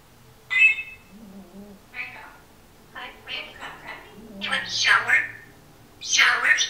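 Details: Captive female Timneh African grey parrot talking at home, with a singer's music and a snoring dog in the background; speech-like syllables in uneven bursts, ending in louder drawn-out vocal phrases.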